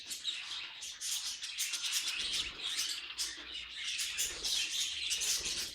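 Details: Pet budgie noises: continuous gritty warble with rapid clicks and high chirps, and a soft low rumble beneath from about two seconds on.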